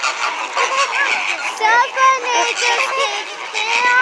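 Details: Flamingos kept at SeaWorld, calling loudly: overlapping honking calls from a group, short nasal notes repeated rapidly, some with a wavering pitch, with background voices mixed in.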